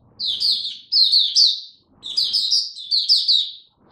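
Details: A caged oriental white-eye, fed a diet adjusted for cold rainy weather, sings two quick phrases of high, sweet, tumbling twitters with a short gap between them.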